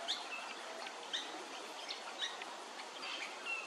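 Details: Pale-headed rosella in Hervey Bay, Queensland, giving brief, high, metallic whistled notes about once a second over a steady hiss of background noise.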